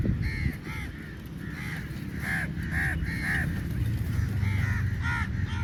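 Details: Numerous crows fighting for meat call repeatedly with grating, arched caws, about three per second at times, over a persistent low rumble.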